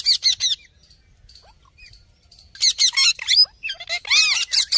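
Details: Wild rose-ringed parakeets in India visiting a balcony give harsh, high screeching squawks in three noisy bursts, with a few thin chirps and brief quiet gaps between.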